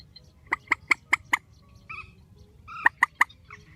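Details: Spliced recording of a strong grey-headed swamphen call: five sharp, evenly spaced nasal clucks, a pause with a faint softer note, then three more clucks.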